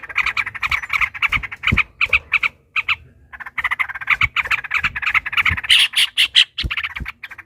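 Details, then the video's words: Trucukan, the yellow-vented bulbul, singing an extended 'ropel panjang' fighting song meant to provoke rivals: rapid chattering phrases of bubbly notes, a short silent gap midway, then renewed, busier chatter with shrill high accents. "trucukan ropel panjang TARUNG PANCINGAN TRUCUKAN agar bunyi"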